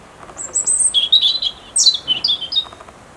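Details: European robin singing its autumn song: a quick run of high, thin, sweet phrases that drop from very high whistles into warbling trills, with a brief pause before a second descending flourish.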